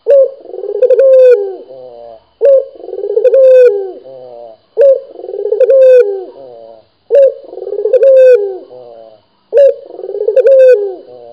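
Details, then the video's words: A Barbary dove, a local kept dove, gives a low, rolling coo with a soft swelling middle, repeated steadily about every two and a half seconds in a quiet room. "SUARA BURUNG PUTER GACOR"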